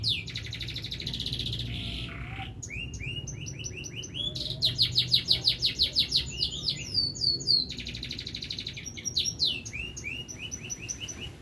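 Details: Domestic canary in full, energetic song, recorded in Indonesia as a lure for silent canaries. Fast trills of repeated curved whistles alternate with short breaks, and a faint low hum sits beneath.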